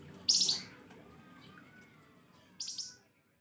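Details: Flamboyan bird giving piercing 'nembak pedes' chirps used as a lure: one loud, harsh high burst, then a thin faint whistle, then a second, softer burst before the sound fades to quiet.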